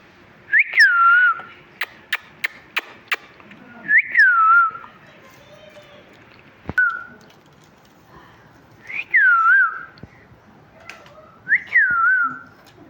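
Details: Talking parrot chirping: four loud whistled notes, each a sharp rise then a falling glide with a small wobble, spaced about three to four seconds apart, with several sharp clicks between the first two notes.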